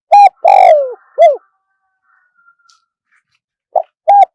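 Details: Spotted dove crowing in Thai forest style with a single 'kuk': one full phrase of steady coo, long descending coo and hooked end note, a faint high whistle, then the next phrase beginning.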